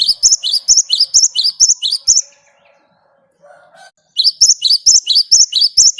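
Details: Wild great tit pouring out rolling 'ngerol' song as a lure for other birds: fast, evenly repeated high paired notes, a brief lull with a faint lower call, then the phrases resume.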